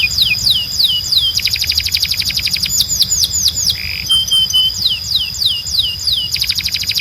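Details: Male canary tutor song for teaching young birds: loud rapid down-slurred whistles and quick trills repeated about four per second, broken by one brief buzzy note and a short flat tone.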